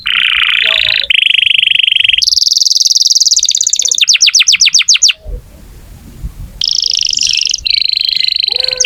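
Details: Gacor canary song, used to prompt young or silent canaries into singing: loud high trills in blocks of about one second, shifting between buzzy rolls and fast separate notes, with a brief quiet gap midway before the trilling resumes.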